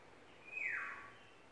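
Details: Single brief yellowbird note in courtship, a bright whistle sliding downward and fading, quiet surroundings.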